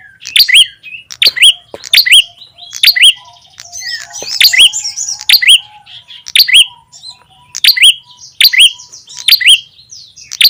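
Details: Ashy tailorbird (prenjak tamu, red-headed) lure call: a long, steady series of sharp, rising chirps about every second, with a brief burst of scratchy twittering midway.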